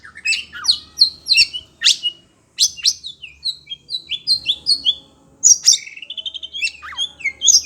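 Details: Oriental magpie-robin (kacer), caged and agitated on hearing other birds, sings sweeping whistles and sharp chirps, pauses briefly, then bursts into a fast run of repeated notes and a falling slur.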